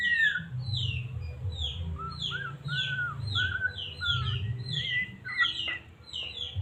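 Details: White-rumped shama from Medan singing to provoke a caged bird; rapid series of short high descending whistled notes mixed with lower slurred whistles, repeated steadily, with a noticeable low rumbling background.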